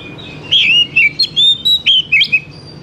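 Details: Oriental magpie-robin from the forest, lure song meant to make young birds sing fast: sweet whistled notes with bends and flicks, around seven in quick sequence, a clean close recording with little background.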